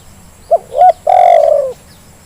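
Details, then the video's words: Spotted dove call played as a lure to get reluctant birds calling: two short soft coos followed by a long, drawn-out rolling coo that slowly falls away. The background is quiet. "Suara pancingan terkukur yang malas jadi bunyi"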